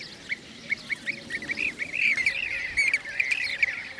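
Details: Blue-cheeked bee-eaters (Merops persicus) in Şanlıurfa, Turkey, 2016, give rolling, liquid trilled calls, repeated several times a second and overlapping as a small group calls together.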